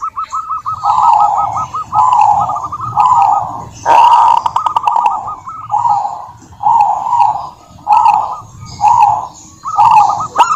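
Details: Zebra dove of a local wild strain, in full song as a lure to set other doves singing, repeats short bursts of quick cooing notes about once a second, with a steady low hum underneath.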